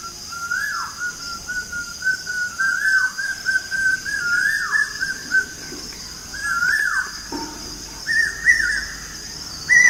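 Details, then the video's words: A morning bird chorus: a run of slurred whistles, several falling steeply at the end, with a few higher level notes near the close and a soft background hiss throughout. "Birds chirping sound in the morning"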